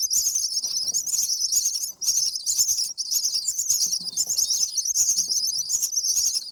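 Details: Common myna nestlings begging while fed by a parent on day 7: continuous harsh, raspy high-pitched hissing calls with only two brief breaks.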